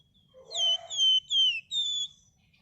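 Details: Red-whiskered bulbul singing actively in the Indonesian ngebren rapat and nyerecet styles: four clear whistled notes, each sliding down, with a softer low warble at the start.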